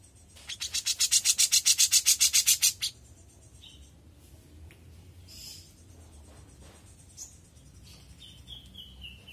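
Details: Young grey-cheeked bulbul singing energetically: a three-second burst of about fifteen rapid, harsh, broadband chattering notes, then near silence with faint scattered chips and a thin descending whistle near the end.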